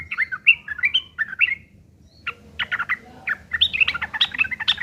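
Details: Yellow-vented bulbul fighting song, a rough chattering lure meant to make other bulbuls answer: quick bubbly phrases of short warbled notes, a brief pause near two seconds, then denser sharp chattering to the end.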